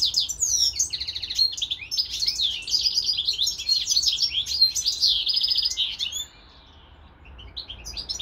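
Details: European goldfinch, a pet kept with a serin x canary hybrid, delivering about six seconds of fast, liquid twittering with trills. It then falls nearly silent, and a few notes return at the end.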